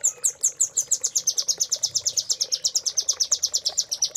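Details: Master song of a velvet-fronted nuthatch for caged birds: a continuous rapid trill of loud, high, sharply repeated notes, about seven per second, slightly falling then steady.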